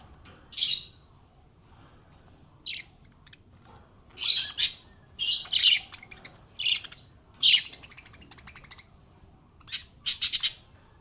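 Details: Happy pet budgie giving short, harsh chirps and scratchy squawks, single or in quick pairs and triplets, separated by quiet pauses of one to two seconds.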